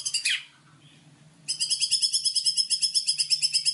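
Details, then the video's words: Training master song of a white-rumped shama, rich in fill phrases: a short harsh burst, brief quiet, then a long rapid, even high trill over a faint low steady hum. "MASTERAN MURAI BATU GACOR !!! FULL ISIAN LANGSUNG EMOSI !"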